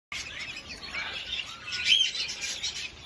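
Young budgerigars give a dense wash of high, raspy chirps and thin squeaks from the nest.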